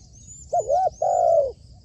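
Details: Spotted dove used as a trained decoy calls from a roof with a brief note, a rounded coo and a long sustained coo that drops at the end. High thin chirps sound faintly in the background.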